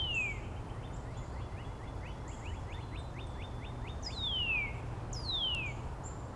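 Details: Northern Cardinals in Angrignon Park on March 19, neighbours answering each other with song variants. A quick train of many short rising whistles runs after a falling note, then two long, clear downslurred whistles ring out, with faint high chirps from other birds.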